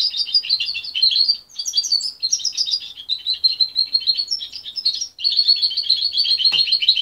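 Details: Juvenile goldfinch hybrid, parent-raised and separated from its mother at 23 days, pouring out a sustained, fast twittering song of chirps and buzzy trills with a few brief pauses and a single sharp click.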